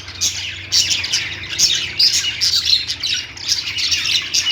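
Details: Lovebirds singing and chirping: dense, overlapping high squeaky chirps and squawks from several birds, coming in bursts with brief dips between them.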